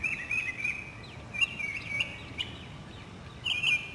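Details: Northern mockingbird song in a South Carolina city neighborhood, spring 2008: rapid warbled and chirped notes in quick succession, then a pause and a loud sustained whistled phrase, over quiet background hum.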